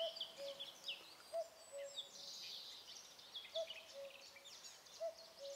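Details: Common Cuckoo, the first of the year, singing from high in a tree directly overhead in the Alblasserbos: a low two-note cu-coo, the second note lower, repeated four times about every 1.3 seconds, with thin high songbird twitters behind.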